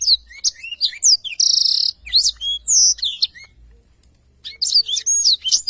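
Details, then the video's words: Black-throated canary in full, active song used for tutoring songbirds: high chirps and slurred whistles, a loud buzzy rattle, more sweeping notes, a short silence, then another burst. "blacktroath gacor cocok untuk masteran"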